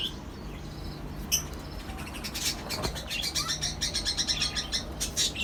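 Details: Lovebirds, cockatiels and budgerigars housed together in a colony setup, giving rapid, rhythmic high chirping that builds into a steady pulsing chatter of several notes per second, with a low hum underneath.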